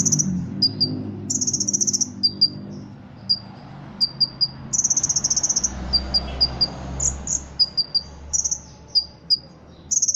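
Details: Ruby-cheeked sunbird, a caged Indonesian songbird trained for contests, its song filled with cricket imitation: buzzy, cricket-like high bursts lasting about a second alternate with short sharp chirps, with low hum in the background.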